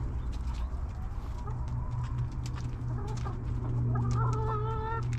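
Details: Hens in a backyard coop: faint murmured clucks give way to a sustained, nasal, harmonic hen call near the end, set against a continuous low hum.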